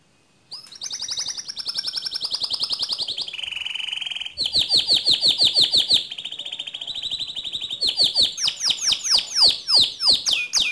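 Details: Canary song played to provoke other canaries into singing fast rolling trills: loud, high, continuous rapid trills that shift through several tours, buzzy rolls, a steady lower rattle, then sweeping descending notes repeated about three times per second.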